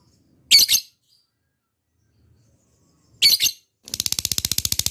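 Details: Lovebird (labet) sound used as a lure for fighter lovebirds: two harsh, shrill squawks spaced apart, followed by the start of a rapid pulsed ngekek chatter.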